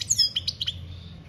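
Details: European goldfinch, 2021 "campero" singing: a brief sequence of four or five sharp high chirps and a liquid twitter within about a second, quiet low hum behind.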